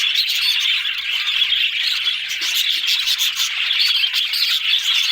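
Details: Loud, unbroken budgerigar chatter of squeaky chirps, scratchy warbles and short whistled notes, many birds calling at once.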